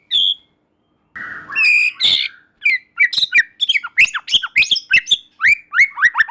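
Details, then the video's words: Singing white-rumped shama, used to provoke a reply from other shamas. A short high note and a rough burst lead into a lively, dense run of varied whistles and chips, with quick slurred notes tumbling one after another. "Murai Batu Lain Dijamin Langsung Respon dan Nyambar Bunyi, Coba Saja Putar || Voice of Murai Batu"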